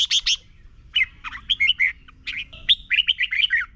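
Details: Red-whiskered bulbul song from Thailand played to teach young birds. A burst of rapid harsh chirps leads into two long bubbling phrases of many jumping whistled notes, nearly continuous over nearly four seconds.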